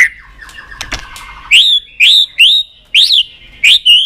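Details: Excited White-rumped shama on its perch: after soft ticking, a series of loud, clear rising whistles, each about half a second long, repeated roughly every half second.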